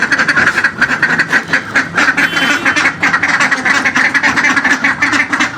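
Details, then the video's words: Pet ducks that refuse their food and hide, wanting only feed, quack loudly and continuously, harsh nasal calls overlapping in rapid bursts, after being put toward a swimming pool. "Ducks are making noise for food"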